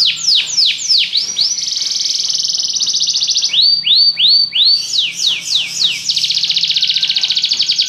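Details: Belgian canary alternates slow, swooping downward-slurred whistles with sustained rapid buzzy trills, switching back and forth in a varied song.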